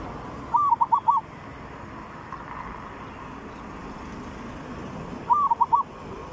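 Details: Zebra dove cooing in the Thai 'three provinces' song style, used as a decoy lure. Two short phrases of soft, bubbling, rolling coos near one pitch, about five seconds apart, over steady background hiss.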